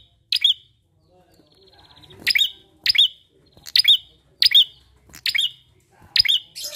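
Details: Bar-winged prinia sound played as a lure for other birds: a series of loud, sharp, rising whistled chips repeated about every 0.7 seconds after a quiet opening, with a faint buzzy trill.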